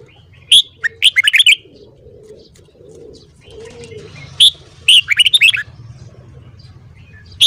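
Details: Red-whiskered bulbul, a trained cage bird, in morning song: loud bursts of sharp, warbled and chattering notes in two clusters, with quiet low cooing between them and a faint background hum.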